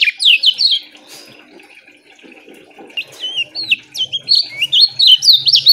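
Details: Lemon-bellied white-eye therapy song, quick-paced and loud though short-phrased. Opening bright descending chirps, a lull with faint low sounds, then separate looping whistled notes quickening into a lively twittering run.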